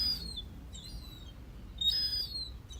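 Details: A young herring gull fledgling on a garden deck in Peel, Isle of Man, gives thin, high, slightly falling whistled peeps in two short bursts about two seconds apart over a soft hum. It had fallen there while trying its wings, possibly near feeding time.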